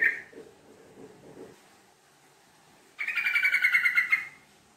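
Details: Yellow-vented bulbul in a long, fast 'ngekek' chatter used as a lure. After a quiet start with faint low murmurs, a single run of about a dozen quick, bright, rattling notes lasts just over a second.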